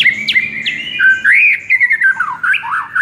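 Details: White-rumped shama masteran recording used to rouse a sluggish shama into agitated singing. Two quick downward sweeps open a rich, varied warbling phrase of sliding, looping whistles that rise and fall without pause.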